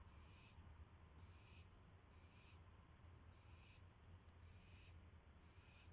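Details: Owl at 9:38 PM on May 9, 2016, receiving a mouse on a live camera: breathy, grating screeches repeated about six times at an even rhythm over a persistent low background hum.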